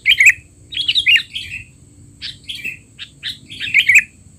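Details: Noisy 'teler' chatter of a sooty-headed bulbul, used as tutoring for young bulbuls: a run of harsh, slurred chirps in quick groups, a short pause midway, then more chirp clusters ending in a loud burst.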